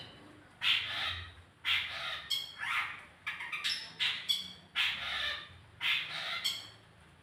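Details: Long-tailed shrike lure song to encourage singing: loud harsh squawking notes in irregular bursts, some with buzzy rising sweeps and thin high whistles, light low hum behind.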